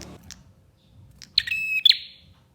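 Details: Bar-winged prinia lure song to make other prinias sing. Faint chips lead into a single loud phrase of a buzzing rattle over a steady high whistle, ending abruptly.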